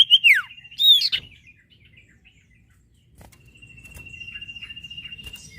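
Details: Lively sirtu bird singing to prompt other birds: two loud, sharp slurred notes open the clip, a pause follows, then a long, thin, steady high trill runs to the end.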